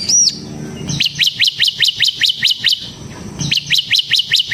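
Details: Bar-winged prinia, captive bird singing to lure and train other prinias: one arched high note, then two runs of evenly repeated, sharp downslurred chirps at about three a second.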